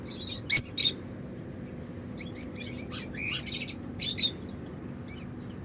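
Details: African lovebirds, uncaged pets with unclipped wings flying freely indoors and making happy sounds; sharp high chirps in scattered bursts, some in quick pairs, with quiet room hum behind.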